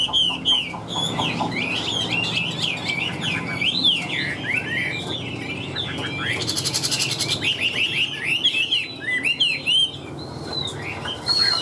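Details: Wild-caught Chinese hwamei kept in a cage, singing strongly and loudly: a rapid, varied run of clear whistled phrases, with many swooping, rising and falling notes, a short buzzy burst midway, and quick repeated notes near the end.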